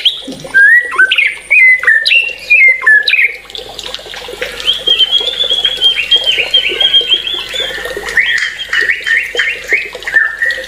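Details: White-rumped shama pours out varied whistles and jumpy notes, then a long rapid rattling trill held at high pitch, ending in lower slurred whistles.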